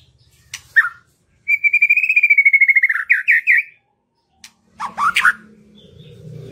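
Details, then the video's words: White-rumped shama song used to encourage hesitant birds to sing. After a short chip, a sustained whistled trill of rapid even pulses rises slightly, ends in a few louder notes, then brief harsh chatter over a low hum. "PANCINGAN MURAI BATU MERANGSANG BURUNG YANG SUSAH BUNYI LANGSUNG IKUT BONGKAR ISIAN"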